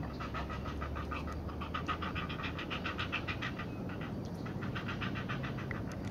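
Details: Heron chicks begging while being fed at the nest, beak biting as the parent feeds them: rapid harsh pulsed clicking chatter, about three pulses a second, in uneven bursts over low rumbling background noise.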